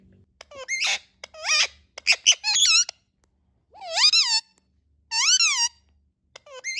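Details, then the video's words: Indian ringneck parakeet talking and calling: a rapid chattering string of clipped, word-like squeaky syllables, then two long wavering nasal screeches with pauses between. "Talking and natural sounds of Indian ringneck parrots"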